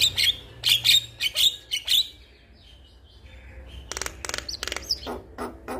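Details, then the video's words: Male Javan myna calling a female, used as a lure for caged birds: a few sharp high chirps, a quiet gap, then a fast cluster of clipped buzzy notes. "Jalak Kebo Jantan gacor Memanggil Betina"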